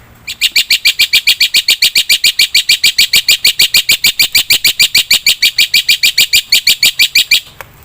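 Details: Black-winged myna singing steadily, used as a tutor and lure recording: a long, very even stream of harsh, buzzy notes, about three per second, for nearly seven seconds.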